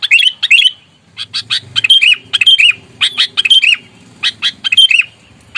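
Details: Fighting Sooty-headed bulbul, aggressive lure sound to rile rivals: loud harsh chattering in rapid bursts with buzzy, downward-slurred notes, over a low rumbling background.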